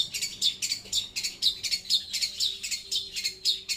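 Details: Long-tailed shrike, loud and clear: a regular series of harsh, high notes with a squeaky tip, about two per second, over a faint, steady low hum.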